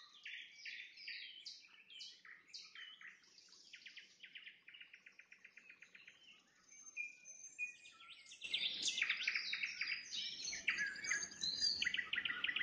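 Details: Nightingale singing at sunset: bold repeated note clusters, then a long rapid rattle of identical clicks, followed by loud chattering trills as the background suddenly turns noisier.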